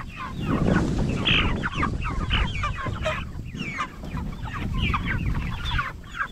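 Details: Meat-raised Cornish Cross broiler chickens at 44 days old; busy flock chatter of bright short peeps and sliding chirps, with occasional louder calls and low room noise.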